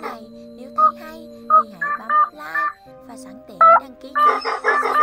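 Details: White-breasted waterhen (Amaurornis phoenicurus) call recording, used as a lure for night netting of migrating birds in March 2023: harsh, nasal croaking notes in irregular bursts, quickening toward the end, over a steady low electronic hum.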